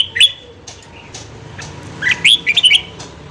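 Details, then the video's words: Red-whiskered bulbul singing in the morning for voice training of a freshly caught bulbul: an opening sharp whistle, then a quick phrase of several bright slurred notes near the end over a low background hum. "luyện giọng chào mào hót sáng kích lửa cho chào mào bổi"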